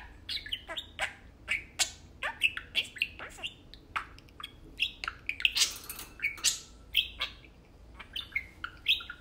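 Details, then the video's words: Two pet budgies at play, giving a busy mix of high chirps, clicks and grating warbles, softer overall, with a louder rasping burst near the middle. "Tame parakeets talking and playing"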